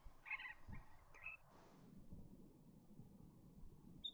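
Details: Superb parrot (Polytelis swainsonii) gives two brief, harsh, warbling squawks in the first second and a faint one at the end, over low wind rumble and a burst of hiss.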